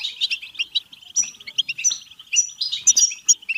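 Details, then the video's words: European goldfinch batbata song meant to arouse singing and mating: a brisk stream of high, liquid chirps, then a series of clear ringing whistled notes near the end. "بتبتة حسون فعالة و رهيبة لتحفيز الحسون على التغريد و التزاوج و الهيجان"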